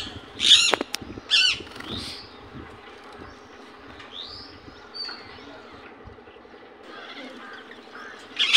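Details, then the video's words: Indian ringneck parakeet giving two strident screeches in quick succession, then a quiet stretch with faint whistled notes, ending on another sharp squawk. "Natural Voice of Parrot"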